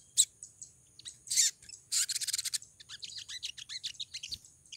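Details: Pied triller (Lalage nigra), mating call: female calling to attract a male.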